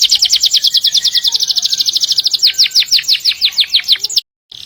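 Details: Singing canary used for training other birds: a long rolling trill of fast repeated notes that slow into separate down-slurred whistles, ending in a short pause and a rough buzz.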